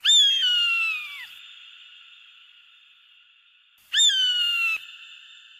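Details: Eagle giving two loud, piercing screams about four seconds apart, each a shrill, harmonic cry sliding downward and cut off sharply, followed by a lingering echo-like ring in otherwise quiet surroundings.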